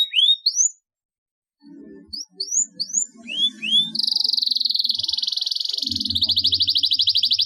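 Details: Lively canary song featuring a long roll, used to train lazy canaries to sing. Rising whistled slurs open, then a brief pause and more slurs, followed by an extended rapid rolling trill with a faint low hum behind.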